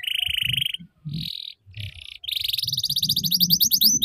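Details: Canary tutor recording for young birds learning the ngeriwik trill: a rapid buzzy high trill, short buzzy bursts, then a long fast trill of rising notes. Low background rumble throughout.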